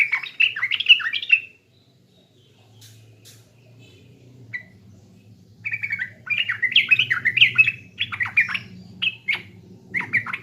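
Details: Yellow-vented bulbul from East Java singing a lure song: bubbling, babbling phrases of slurred whistled notes, a loud burst, a pause, then longer tumbling runs of rising and falling notes over faint low hum.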